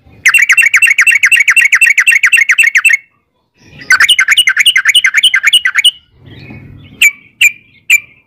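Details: Sooty-headed bulbul song used as a lure to make other birds answer: fast bursts of chattering, buzzy notes repeated rapidly for about three seconds, a pause, another long burst, then three short separate high calls.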